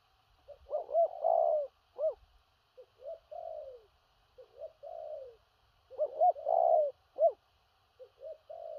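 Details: Spotted dove with a strong "thổ rặc" delivery, including stuttering coos. Loud, clean phrases of quick hooked notes crowd before longer falling coos, some stammered and doubled, in a quiet setting.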